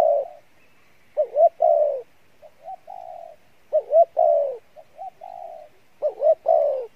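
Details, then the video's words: Spotted dove cooing in the Pha Bài Lối style, a good voice. Soft, mellow two-part phrases: quick wavering notes, then a longer falling coo, repeated three times with gaps of about a second. "Đồng Pha Bài Lối , tốt Giọng , Gù khá"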